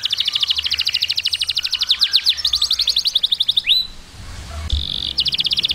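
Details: Canary singing to train chicks: rapid trills of repeated high notes about four per second, fast down-slurred sweeps, a rising whistle, then a steady flat tone followed by another quick trill.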